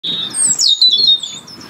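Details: European robin singing in the UK, where it holds winter territory and sings year-round; a brief high phrase opens with a steady whistle, then sweeps down through thin, fast descending notes.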